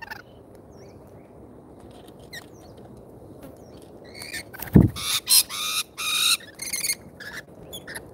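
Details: Lorikeets visiting a feeder in Australia, on a live feeder camera: quiet faint chips at first, then a burst of loud harsh rasping screeches in quick separate blasts over about two seconds, with a thud among them.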